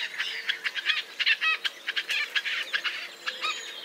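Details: White-breasted nuthatch in North American forest giving a quick series of short nasal notes, roughly four to five a second, rich in harmonics, with faint background birds.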